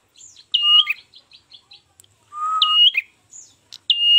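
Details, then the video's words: Ashy tailorbird recording used as a trapping lure: two bright, sustained high whistles that dip at the end, each paired with a lower level whistle, and a run of short quiet chips between the phrases. "PANCINGAN PIKAT MASTERAN PRENJAK KEPALA MERAH"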